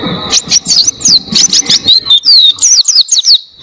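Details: Oriental white-eye used as a tutor for cage birds, singing long clear phrases: rapid high thin whistled notes sliding up and down in quick succession, with a steady high tone underneath and some low background noise early on.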